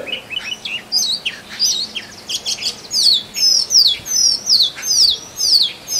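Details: Male Oriental magpie-robin, known in Bengali as doyel, singing to court a mate in forest; varied chirps at first, then a steady series of sweet, high, downward-sweeping whistles repeated about twice a second.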